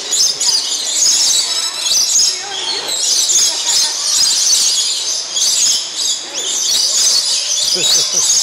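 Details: Lorikeets in an indoor aviary at Bird Kingdom, Niagara Falls, calling noisily while feeding on nectar. Continuous harsh, high-pitched screeching from many birds rises and falls in waves, with overlapping chirps.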